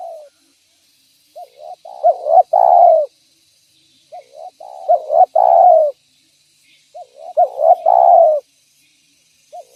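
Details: Spotted dove calling steadily to lure other doves: three similar cooing phrases about two seconds apart, each made of soft lead-in coos, a stressed note and a long falling coo, otherwise quiet.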